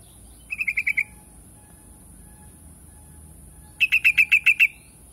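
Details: Yellow-vented bulbul giving a quick series of five sharp, bright chips on one pitch. After a pause comes a louder run of about seven similar notes, over a steady high hiss.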